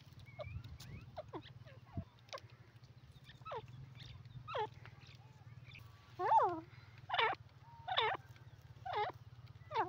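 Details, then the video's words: Francolin (teetar) producing curled, wavering squeaky notes that grow louder and more regular toward the end, amid steady low background noise and faint rustling. "dakni teetar voice call sindhi teeter awaaz"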